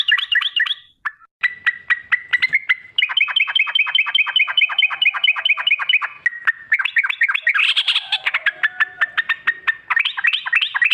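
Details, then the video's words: Sooty-headed bulbul pouring out lengthy 'ropel' phrases as a lure for singing birds: bright chattering trills, a long even run of rapid ticking notes, then a harsher burst and renewed fast warbling. "Trucuk gacar ROPEL PANJANG pancingan trucuk agar BUNYI, jadikan burung trucuk BUNYI ROPEL"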